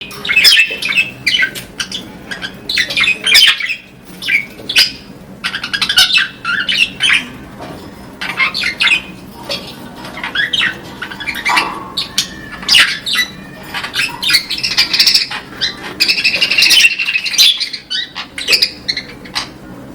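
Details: Yellow budgerigars (Melopsittacus undulatus) chatter with a steady stream of scratchy chirps, squawks and warbles.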